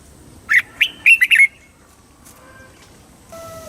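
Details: Red-whiskered bulbul singing the southern Thai master-style song used to rouse caged birds and tutor young: a single fast phrase of five lively whistled notes, followed by quiet and faint background chirps.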